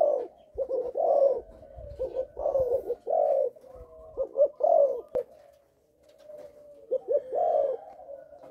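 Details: Malaysian-line spotted dove father bird kept in a cage for breeding, cooing with a stammer on the first three notes: repeated mellow low coo phrases with stuttering short notes and longer drawn coos, brief pause midway, quiet indoor setting.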